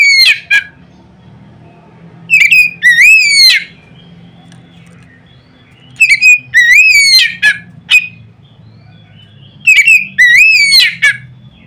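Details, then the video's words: Oriental magpie-robin giving a loud song meant to provoke other magpie-robins into singing: three bursts of clear, rising whistled phrases with sharp clicks, separated by pauses of about two seconds, over a faint low hum. "nada keras bikin burung Kacer lain ngeplong"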